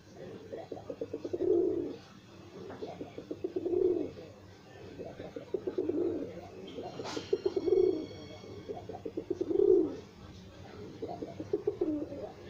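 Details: Several domestic pigeons kept by their owner, cooing in low, throaty, pulsing bursts that swell and fade roughly every two seconds, with a brief sharp click-like noise near the middle.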